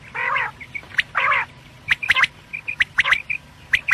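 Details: Morning calling of quail, usable as a lure: longer nasal, harmonic notes first, then quick sharp squawks and short clipped chirps in uneven bursts.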